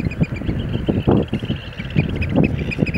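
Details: Eurasian oystercatcher display dance, with bursts of sharp piping notes at the start and near the end, partly buried under loud low rumbling and wind-like noise.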